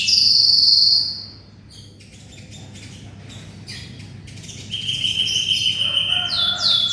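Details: Vigorous canary song meant for tutoring white-rumped shamas. A loud high roll opens, then a quiet stretch of scattered faint notes, before bright trills build again toward the end.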